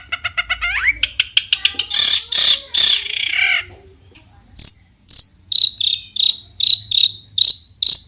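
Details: Long-tailed shrike singing a varied, spirited song that stirs other shrikes to reply: rising whistled notes and rapid clicks lead into loud harsh rasps, then a steady series of short sharp chips about twice a second.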